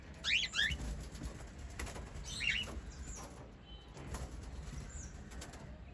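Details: White lovebirds, a family of five, give two short bursts of harsh, scratchy chirps, with faint thin whistles in between.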